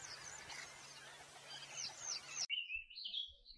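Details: Canary singing: a high twittering passage against steady hiss, then a cleaner sustained warbling note after an abrupt cut.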